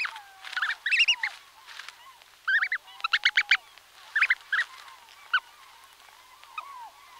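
Brant goslings calling from inside their eggs: thin, high peeping notes in quick clusters, with fainter low whistled notes between bursts.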